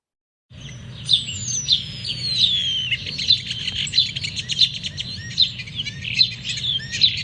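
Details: A European Starling's normal song, not mimicry: a busy jumble of high, thin whistles, long descending slurred notes and fuzzy, mechanical-sounding clicks and rattles, repeated in quick bursts.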